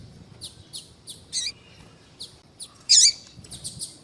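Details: Female yellow-bellied seedeater calling to draw males: soft evenly spaced high ticks, a wavering chirp, then one loud bright trilled chirp.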